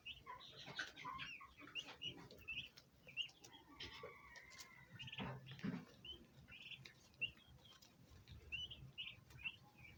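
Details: Young turkeys making high-pitched chirping calls that signal their presence and communicate with other birds. Short whistled peeps repeat irregularly through the recording, with a longer drawn-out note near the middle and some soft fluttering.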